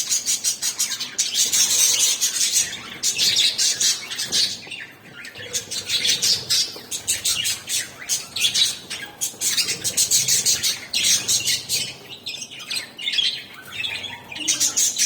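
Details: Budgerigar; chatter; contentment while feeding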